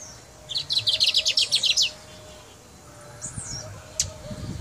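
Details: Brown mustache from Guyana singing: a burst of about one second of rapid, high, buzzy repeated notes, then a short down-slurred whistle and a sharp click, with quiet low rumble behind.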